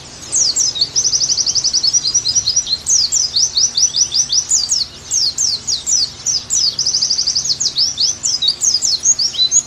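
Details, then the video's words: Oriental white-eye, a kept songbird, in a conditioning and tutoring recording: a high, fast chattering song of rapid trilled runs and sharp descending sweeps, nearly continuous with brief pauses, over faint low hum. "Terapi + Masteran Agar Pleci Gacor Kembali"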